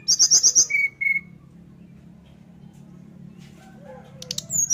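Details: Sunda forktail singing with an open beak to lure others into song: a fast run of five very high ticking notes, then two short level whistles, a quiet pause, and later high sharp notes and a thin whistle.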